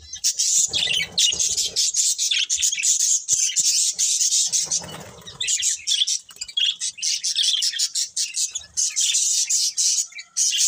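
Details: A flock of budgies keeps up a long, dense high chatter of fast trills and tweets, with faint rustling and fluttering beneath.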